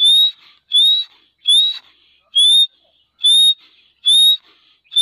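Grey partridge giving loud, slightly rising, ringing notes, about seven in five seconds at a steady pace; no other sounds stand out.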